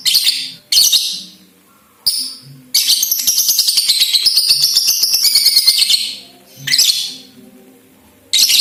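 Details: Ngekek of a young lovebird (balibu), meant to get other lovebirds chattering: short shrill bursts, then a sustained three-second stretch of fast, buzzy, rattling pulses, followed by more harsh high bursts with pauses.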